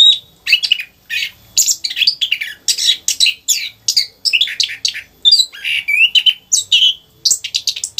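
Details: Orange-headed thrush kept in a cage, delivering nonstop 'rock n roll' song meant to prompt other captive birds to sing: dense bursts of sharp chirps, slurred whistles and squeaky notes, short gaps between phrases.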